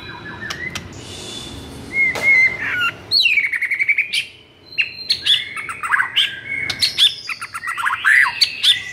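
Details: White-rumped shama (murai batu) singing agitatedly, a lively bird used to stimulate silent shamas into song: varied whistled phrases of rising and falling notes between roughly mid and high pitch, sharp clicks and buzzy bursts, briefly pausing near four seconds.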